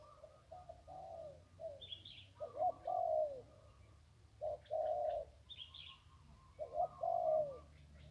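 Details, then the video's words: Zebra dove on the banks of the Ping River, described as a wild bird with a single-kuk crow: a short low coo then a longer rolling coo, repeated about every two seconds, with higher chirps from another bird between phrases. "นกคูอ่างเจ้าเสน่ห์ริมปิง ได้นกโล่ง 1กุกขันเพราะๆ"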